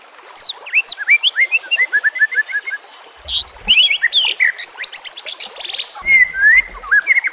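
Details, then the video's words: White-rumped shama in full song, its varied repertoire used to train other shamas: fast sweeping whistles and quick runs of sharp chattering notes, with short bursts of buzzy phrases against a constant watery background hiss. "Murai batu FULL NEMBAK dan BONGKAR ISIAN"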